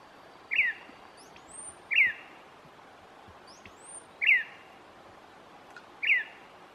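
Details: Gray-breasted Wood-Wren in pine-forest undergrowth in Cusuco National Park, Cortés, Honduras, on 4 April 2019, agitated and curious after playback: sharp downslurred notes every 1.5–2 seconds with thin, high rising whistles between them.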